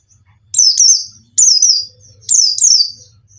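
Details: Lure song of a bustomi pleci white-eye, played to get a caged bird that sings little to start: three pairs of sharp, high descending whistles about a second apart over a faint low hum.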